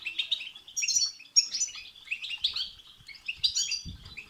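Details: European goldfinch singing, a recording used to excite goldfinches into song: continuous fast twittering and liquid chattering notes, busy and high, with faint low knocks near the end.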